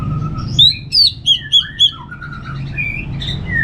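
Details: Ngeplong-style song of an Orange-headed thrush: a soft whistled note, then a burst of five loud, sharply inflected whistles about a third of a second apart, followed by quieter warbled phrases over a low background hum.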